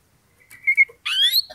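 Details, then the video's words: Oriental magpie-robin singing to provoke a rival into fighting: a thin steady whistle, then a burst of loud, buzzy, rising and falling notes in a brief phrase. "pancingan kacer EMOSI NAIK PELAN - PELAN"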